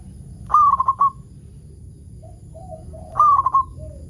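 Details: Local zebra dove singing as a lure for other zebra doves: two rolling coo phrases about two and a half seconds apart, each a drawn-out opening note trilling into quick repeated coos, with softer, lower cooing from another bird between and a thin steady whine.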